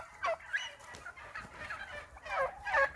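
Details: Wild turkeys coming down from their roost at dawn give irregular raspy yelps in short bursts, loudest at the start and end, several birds calling.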